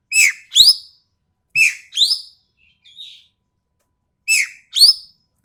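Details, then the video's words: Sumatran treepie from Sumatra, its voice sharp and coarse, recorded for training other birds: paired harsh, scratchy notes repeated three times at about two-second intervals, with a faint softer note between, against a quiet background. "MASTERAN BURUNG EKEK KELING SUMATERA SUARA TAJAM DAN KASAR"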